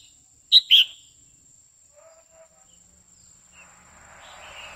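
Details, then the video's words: Two sharp, loud whistled notes from a female red-whiskered bulbul singing to excite a male, followed by soft distant notes and a rising hiss of background noise. "Chào mào mái hót kích trống liên tục"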